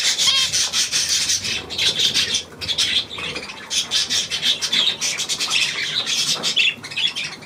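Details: Budgerigars, filmed 9 February 2024: dense, scratchy high chattering with rapid warbled notes, pausing briefly near the middle, then resuming as a continuous busy twitter.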